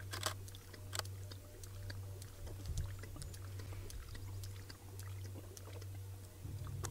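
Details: A steady low engine rumble runs throughout, broken by scattered clicks and knocks, with no animal voice to be heard.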